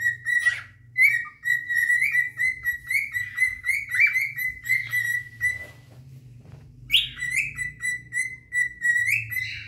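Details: Two adult cinnamon cockatiels sing rich, warbling whistled phrases rising and falling around a steady mid pitch, pausing briefly then resuming with a bright upward sweep, courting to attract a mate.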